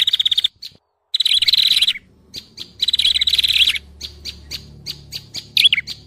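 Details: Lure call of prinias for catching birds: fast, high, buzzing trills in separate bursts with short pauses, later giving way to softer scattered chips and a twisting note over a faint low hum.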